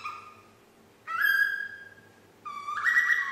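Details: A nine-month-old female parrot learning to whistle Yankee Doodle produces two clear whistled phrases, each a held note stepping up in pitch, separated by a short pause in a quiet room.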